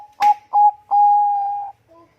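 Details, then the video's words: Zebra dove of the Bangkok perkutut type, singing as a lure for other birds. A short burst and a clipped coo lead into a sustained, level, pure coo lasting nearly a second, then a faint soft note. "perkutut bangkok gacor suara merdu cocok untuk pancingan"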